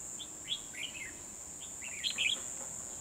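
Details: Red-whiskered bulbul used as a decoy while trapping wild birds, 12 December 2020; a couple of lively twittering, slurred phrases, the second louder and busier, with a continuous high-pitched insect whine behind.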